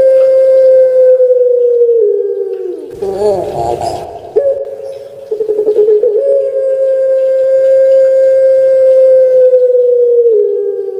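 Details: A kept Barbary dove (Streptopelia risoria) from Indonesia gives long, melodious, drawn-out coos held about two seconds each and falling slightly at the end, with a brief rustling burst midway.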